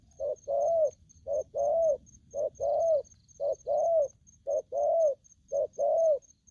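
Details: Spotted dove, a wild-caught young bird in an aggressive mood, repeating mellow low coos in a steady short-long rhythm about once per second; a thin regular high ticking runs underneath.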